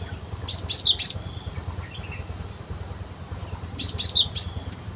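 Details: Wild cinereous tit, recorded for use as a trapping lure: a phrase of three sharp, high, bouncing notes, a pause of nearly three seconds, then the same three-note phrase again, over a continuous insect drone.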